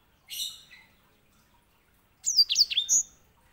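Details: White-rumped seedeater kept as a canary tutor bird, with a short buzzy note followed after a pause by a brisk phrase of sharp, high, sliding whistles.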